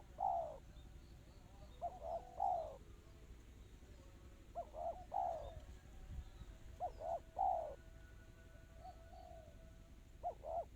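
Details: Spotted dove singing in the rapid crystal style: four spaced bursts of short doubled coos, each ending in a longer coo, recorded somewhat faintly over a constant low drone.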